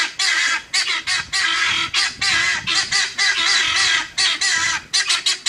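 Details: Several guineafowl near a well-disciplined police dog, calling almost without pause: harsh, grating, buzzy rattling bursts packed closely together, with only brief gaps between runs of loud, rasping notes.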